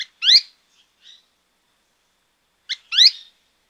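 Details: Azara's spinetail at Alto San Miguel, a very vocal bird known as piscuís after its 'pis-cuis' song: a sharp, high two-part call, a quick clipped note then a buzzy slurred one, repeated after about three seconds in quiet surroundings.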